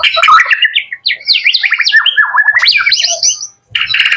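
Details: Young male white-rumped shama, a pet bird, delivering a fast, loud run of jumbled warbling and slurred whistled notes that rise and fall, with a brief pause before a final burst.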